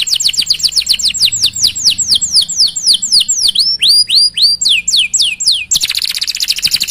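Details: Canary singing a long rolling 'cuit-cuit' phrase to encourage other canaries: loud descending chirps repeated about four per second, slowing slightly, ending in a dense high trill.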